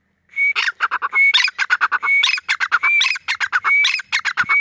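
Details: Female grey francolin (Sindhi teetar) calling: harsh, rapid chattering notes in quick bursts, broken by brief high clear whistles, repeated over and over without pause.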